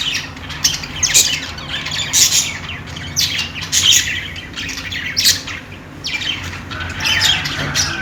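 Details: Budgies chattering in a group, quick high chirps and raspy squawks arriving in bursts roughly every second, with softer warbling in between.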